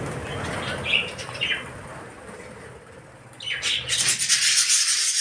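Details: Budgerigar in 46-degree heat gives a few short, high chirps, followed by a burst of rustling, flapping noise.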